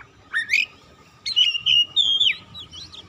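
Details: White-rumped shama song played to make other birds sing: a rising buzzy whistle, a pause, then a long sustained clear whistle that wavers and drops at its end.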